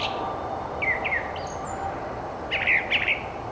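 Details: Brown thrasher in spring at a Twin Cities nature center: a loud, unique song of varied phrases. Brief downslurred notes are given in pairs, then a doubled, buzzier pair follows, over a background rumble.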